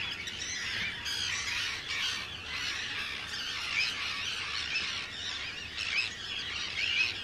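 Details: Arctic terns at a crowded breeding colony, Rottumerplaat, the Netherlands, 4 June 2023; a roaring mass of harsh, rasping screams, with louder individual grating cries standing out now and then.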